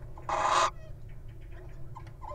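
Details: Wild little owl standing guard at its nest box while the partner enters: one loud, harsh, hissing screech lasting under half a second, followed by faint soft notes over a low background hum.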